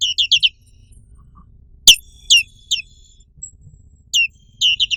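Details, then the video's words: Black-capped white-eye (pleci black capped) uttering rapid bursts of piercing down-slurred chirps, three in quick succession at the start and again at the end, with one sharp click midway. "SUARA BURUNG PLECI BLACK CAPPED"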